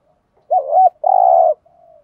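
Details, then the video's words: Spotted dove kept as a decoy coos for training fresh wild-caught birds: a warbling first note, a long steady purring coo, then a faint trailing hum. "chim cu mồi đue bài vở mới nhất, tiếng chiêm cu gáy luyện bổi mới"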